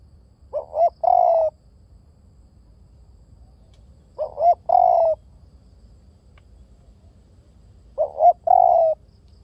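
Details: Spotted dove repeating its cooing phrase three times, roughly every four seconds. Each phrase has a quick pair of rising notes, then a drawn-out mellow coo. The background is quiet.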